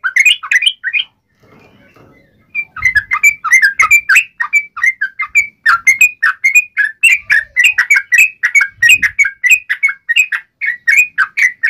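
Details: Yellow-vented bulbul fighting song in uplik ropel style, meant to make other bulbuls respond instantly: a brief opening phrase, a pause, then a long, steady stream of rapid, bouncing chirps with a few faint low thumps.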